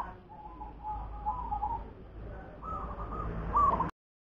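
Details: Local zebra dove of native stock singing: soft, rolling cooing phrases of short, clustered tonal notes, a burst near the start and another louder run toward the end, over a steady low hum and background noise before an abrupt cutoff.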